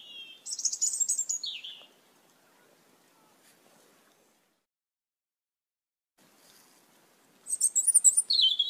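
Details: Asian glossy starlings, red-eyed greenish-black birds in a flock that stripped backyard papaya plants: two bursts of sharp, high metallic squeaky calls with descending slurred notes, separated by about five seconds of near silence.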